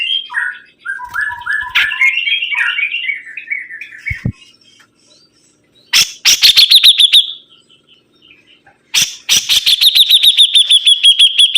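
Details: Sibuntung bird singing vigorously: a run of quick chirping notes stepping down in pitch, then two bursts of rapid, high, sharply repeated ticking notes that settle into a steady trill.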